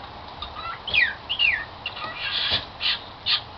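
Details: Cockatiel kept as a pet and known for singing "Song of the Garden"; two downward-sweeping chirps are followed by several harsher, broadband squawks in quick succession.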